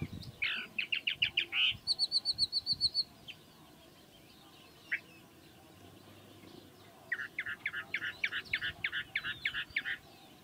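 A chalk-browed mockingbird sings rapid runs of loud, repeated chopped notes, a burst of high thin ticking between them, then another quick repeated phrase after a pause.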